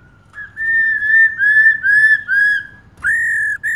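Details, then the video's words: Female laughingthrush calling continuously to rouse males: a wavering chain of linked whistles rising and falling slightly, then a sharp upswept whistle and a short final note. "KHƯỚU MÁI RÒ LIÊN TỤC KÍCH TRỐNG CỰC NHẠY"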